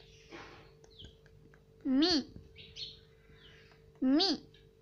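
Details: Indoor pet Indian ringneck parrot copying household speech, "mummy" and "papa": two loud, nasal, wavering word-like utterances about two seconds apart over soft background murmur and faint chirps.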